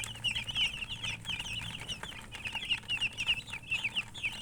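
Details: Baby chicken chicks chirping: dense overlapping high, short peeps, many downward-sliding notes in rapid succession from several birds, with faint low background hum.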